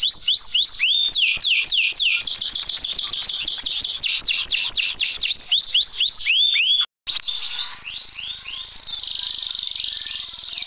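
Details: Canary song offered as training material for lazy canaries: rapid chains of falling whistled notes and fast rolling trills, broken by a brief silent cut, then a dense buzzy high roll.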